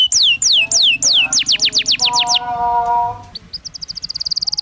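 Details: Canary song used to train young canaries: loud falling whistles, then quicker rising notes, a brief low steady tone in the middle, and a thin, very fast high trill at the end.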